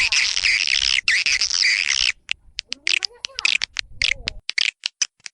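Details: Swiftlet lure call played to draw swiftlets into a colony: two seconds of dense, buzzy, high twittering chatter, then scattered sharp clicking chirps and a faint low wavering tone.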